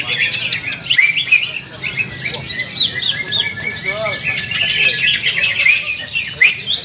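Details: Greater green leafbird in ngalas-style song while training with other birds: tumbling mix of sharp whistles, squeaks and chattering trills, sustained and lively from start to end.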